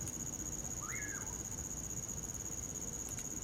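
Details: Wintertime common pauraque gives a single whistled phrase that rises quickly, holds briefly, then drops away. A constant shrill cricket tone and a crackling campfire fill the background.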